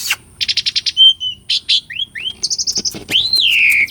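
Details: Asian pied starling song for training silent birds: a rapid series of pulsed buzzy notes, soft rising whistles, a quick ringing trill, then a long loud whistle arching up and down.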